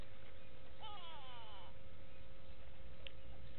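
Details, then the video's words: Go-away birds at Gowrie dam waterhole on Djuma Game Reserve, Sabi Sand Wildtuin, South Africa, filmed by a live camera on 06/06/18; a single nasal, wavering call with stacked harmonics lasts under a second over a steady low hum. "Go-away birds with audio"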